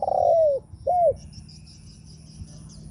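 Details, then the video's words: Brief spotted dove coo used to provoke other doves: a loud, sustained coo sliding downward, then a short arched note, followed by quiet. "Chim cu gáy gù mở lên kích bổi cực hay"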